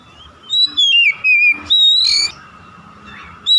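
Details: Oriental magpie-robin giving a lure song to provoke other magpie-robins: a quick run of varied whistles, with notes sliding down then jumping up, separated by short breaks. A faint hum sits underneath.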